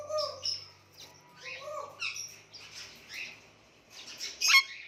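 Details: Indian ringneck parakeet making cute noises: varied squeaky chirps and warbled notes in short bursts, ending with a sharp louder squawk.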